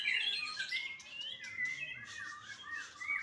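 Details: Warbled phrases from a young white-rumped shama at a Bali bird farm, a fluid stream of wavering whistles and slurred notes that bend up and down, loud at the start and end of the short burst.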